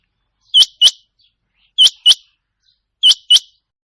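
A rain quail gives sharp, high metallic double notes, 'which-which', repeated about every second and a quarter, in otherwise quiet surroundings.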